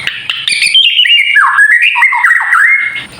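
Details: Kept White-rumped shama singing to rouse other birds: a sustained clear whistle wavering and dipping, with quick chattering notes at the start.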